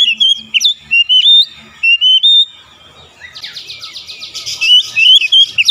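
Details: Oriental magpie-robin singing as beak-opening therapy: steady whistled phrases with sharp upward flicks, then a harsh buzzy chatter, followed by more clear whistles.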